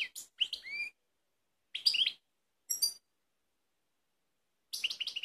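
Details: European goldfinch, Balkan form, recorded in Kumanovo, Macedonia, on 16 March 2018: a few scattered short twitters and a rising slurred whistle separated by long silent gaps.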